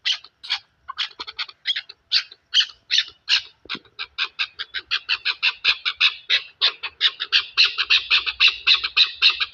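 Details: Chukar partridge calling in Pakistan: harsh, clucking chuk notes repeated in a quickening series that grows denser and louder over about ten seconds.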